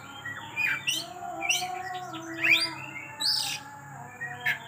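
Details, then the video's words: Oriental magpie-robin singing in intense 'kejang' style, unloading its song repertoire: rich rising whistles and scratchy chirps in short bursts, with a low steady hum underneath. "KACER KEJANG KEJANG !! BONGKAR MATERI"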